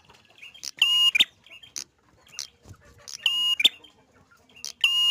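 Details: Prinia in lively, vigorous song: loud buzzy harmonic bursts, each with a clear whistled note, repeated roughly every two seconds, with softer chips and a brief low thump between phrases.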